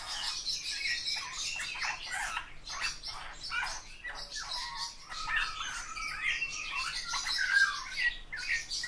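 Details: Eurasian bullfinch singing, with harsh creaking and squeaky chirps mixed with soft, low, level whistled tones and short piping notes, the whole phrase rambling on without pause.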